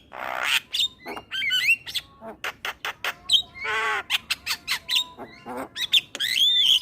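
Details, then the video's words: Male black-winged starling song, played to attract starlings, opening with a loud harsh squawk, then rapid clicks, buzzy rasps and short whistled phrases, ending in a ringing warbled flourish. "Ocehan Jalak Kebo Jantan Untuk Pancingan Segala Jenis Burung Jalak"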